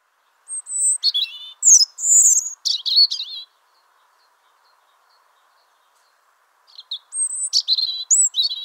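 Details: Wild European robin singing in spring: two bursts of thin, high, jumbled phrases mixing sweet whistled notes, sharp descending slurs and brief trills, separated by about three seconds of silence. No other sounds.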